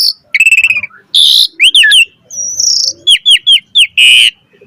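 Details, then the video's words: Asian pied starling singing in full 'gacor mompa' style: a fast stuttering trill, a rough noisy burst, paired curved whistles, a level high whistle and a run of four sharp downslurred notes, then a final harsh burst. "Jalak Suren Gacor Mompa Full Variasi Ocehan"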